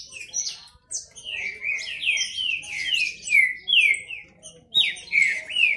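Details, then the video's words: Kept Green-winged saltator males singing against each other in a contest. Repeated clear whistles sweep downward, several times a second, with brief pauses and overlapping high chips from a second singer. "Esquente seu trinca ferro disputa e macheado"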